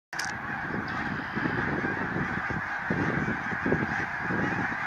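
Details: Snow geese gathered in a field at Baldwinsville, a dense flock giving a continuous, overlapping clamor of honks and yelps, many voices merging into a steady chattering wash with no single caller standing out.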